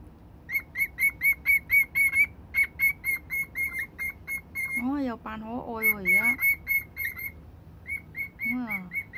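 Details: A senior cockatiel kept as a pet sings at a hated box, pouring out quick runs of bright, even whistles, with wavering falling slurs in the middle.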